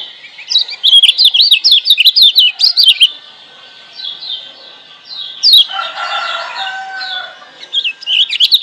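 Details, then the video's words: Master song of a wild-caught lemon-bellied white-eye from Lombok, used to get silent birds singing: a fast run of bright, warbling, up-and-down notes for three seconds, softer trills, then a burst of chattering and more warbles. "Masteran Kecial Kuning GEBOKAN LIAR Ampuh Bikin Kecial Malas Bunyi Jadi GACOR"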